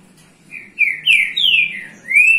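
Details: Green-winged saltator in Rio de Janeiro, Brazil, singing to warm up the young birds: a phrase of four clear whistled notes, rising then falling, ending on a long rising whistle.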